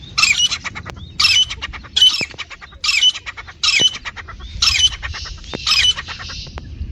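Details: Iranian or Dhakni partridge, male or female, used to call and hunt partridges: loud, harsh squawking bursts repeated roughly every second, each short and scratchy, over a quiet rural background.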